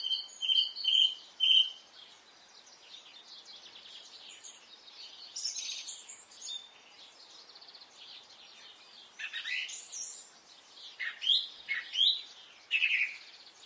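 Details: Several birds singing on a spring morning in Brittany, France: bright whistled phrases open the recording, followed by overlapping chattering, trilled and warbled notes, with loud, clear bursts returning near the end.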